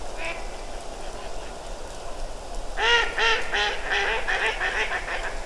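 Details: A large flock of mallards settled on the water at the Ptasi Raj reserve in late autumn, recorded from an observation tower. A single quieter quack comes first, then a loud, nasal run of about eight quacks, each softer and lower, over steady hiss.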